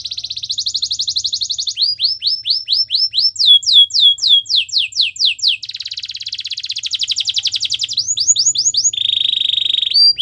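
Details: Canary training song meant to woo other canaries: pulsed trill, chains of rising whistles and descending sweeps, a long rapid rolling trill, then a steady buzzy note near the end.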